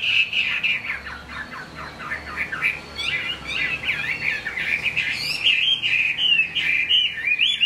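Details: Chinese hwamei kept as a cage bird, singing during rain: a dense, rapid warbling stream of short whistled notes that grows brighter and higher in the last seconds.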